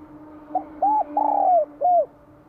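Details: Bell-voiced spotted dove song from Vietnam, spring 2023, meant to stir wild doves: four mellow hooting coos, the third longest and gently falling, over a constant faint low drone.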